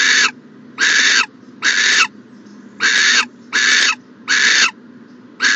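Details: Morning at a nest box, January 14, 2020: an owl makes loud, rasping hiss-like bursts, each under half a second, spaced about a second apart in a steady series of seven.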